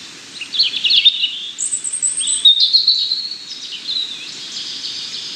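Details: A European robin pours out thin, high whistles and fast rippling trills, with one very high drawn note, in a continuous phrase over soft background hiss.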